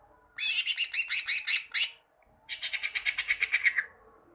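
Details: Greater green leafbird song as training material for birds: a harsh, rapidly repeated run of high chirps, then after a brief gap a fast dry rattling series fading out.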